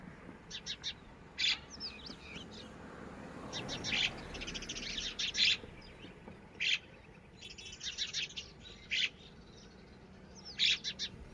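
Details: Red-wattled lapwing (titehari) chicks: scattered short, harsh squeaky call bursts roughly every second or two, some in tight clusters, over a steady outdoor background hiss.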